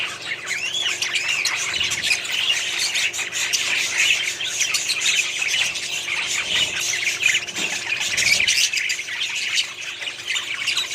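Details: Colony of budgerigars in a small setup, continuous overlapping warbles, whistled chirps and harsh squawks from many birds, a dense unbroken chorus with a few faint low knocks.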